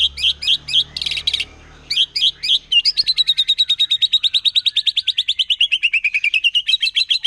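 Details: Wild forest white-rumped shama's aggressive rapid song that provokes other shamas: a few choppy high whistled phrases and a buzzy burst, then a long, fast, even rattle of repeated notes that dips and rises again.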